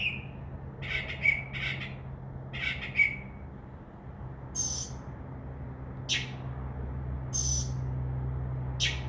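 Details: Northern mockingbird singing from a tree outside a window, starting around midnight, a bird known to mimic crow caws and dove wing sounds; varied bursts: buzzy notes near two seconds, then separated harsh high notes with pauses, steady low hum beneath.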